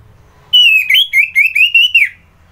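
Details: Morning song of an orange-headed thrush (anis merah) at Kubutambahan, Singaraja, Bali: a continuous run of rapid whistled notes wavering up and down, about one and a half seconds long, clean and loud.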